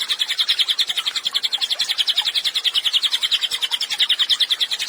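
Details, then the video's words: Cililin in loud, lively song, kept as a training recording for songbirds: a dense, rapid chattering trill of short high notes pouring on without pause, with loudness pulsing about three times per second throughout. "CILILIN GACOR, MASTERAN HANDAL UNTUK BURUNG KICAU"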